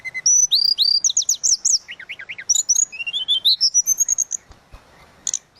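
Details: Tledekan laut in energetic flute-like song: rapid high whistled slurs, a run of lower rising-falling notes, then a fast climbing series of sweet whistles ending in a thin sustained tone.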